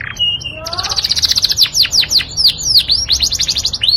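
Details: Yorkshire canary song used as a master tutor recording: a brief whistle, then a rapid run of clear repeated notes followed by a series of loud, sweeping downslurred whistles, continuous and bright throughout.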